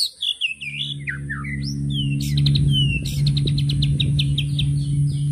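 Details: White-rumped shama (murai batu) singing a 'tembakan' burst: a run of high whistled, slurred notes, then rapid repeated sharp chips at a steady clip, over a constant low droning hum.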